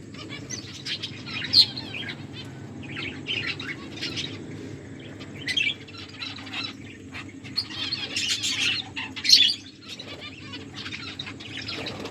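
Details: Finches eating, with scattered short high chirps and sharp clicks separated by quiet gaps, and a busier cluster of twitters toward the end.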